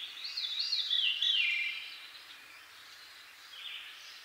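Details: Veery of eastern North America singing a bright, rolling phrase of high, tightly packed notes that peaks in the first two seconds, then trails off into a faint later note over soft background hiss.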